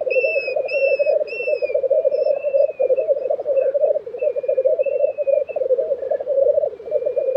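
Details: At a black grouse lek in Sweden's Tiveden in April 2023, the low rolling bubbling chorus continues throughout, overlaid by repeated clear whistled notes from another bird.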